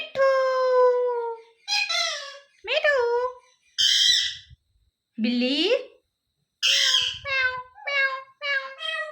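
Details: Talking pet parrot: strained, nasal speech-like syllables, some long and drawn out, others clipped and screechy, with a brief silent gap midway.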